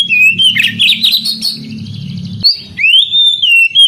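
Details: Oriental magpie-robin recorded for canary singing therapy, aimed at young canaries that are slow to sing. A short whistle leads into a rough, buzzy chatter over low hum, then a clean upslurred whistle that wavers and drops.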